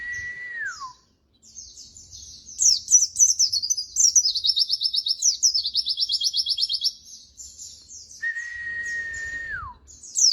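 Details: Masteran recording of white-eye (pleci) song: scattered high twitters build into a long, very rapid, high trill lasting several seconds, framed by two long, steady, mid-pitched whistles that drop at the end.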